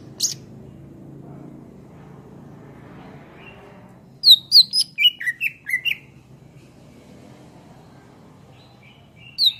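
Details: Greater green leafbird (cucak ijo) singing, used to tutor songbirds: after a quiet stretch, a quick string of about eight high, slurred chirps, then silence and one more high note.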